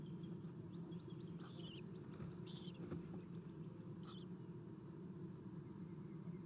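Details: Owlets of Eastern screech owl in a nest box during a morning feeding at 7:04 am, 4-11-2016, captured by nest cam; three or four brief rasping, hiss-like bursts amid constant low electrical hum.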